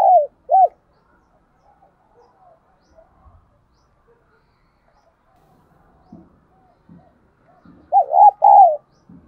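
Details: Decoy spotted dove's calling coos meant to stimulate other doves: two brief coos open, a long quiet stretch with faint low murmurs follows, and a pair of rolling coos comes near the end.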